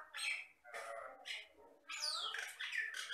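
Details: Jalak Batam myna giving harsh, raspy squawks in short bursts, with a pause after the first few, then a longer scratchy sequence mixing descending whistles and grating notes.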